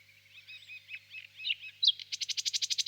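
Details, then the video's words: Distant nightingale in a birch grove on a warm spring evening: a faint, muffled warbling phrase, then a sharp note and a quick series of about ten even pulses, with a low steady hum beneath. "Пение соловья"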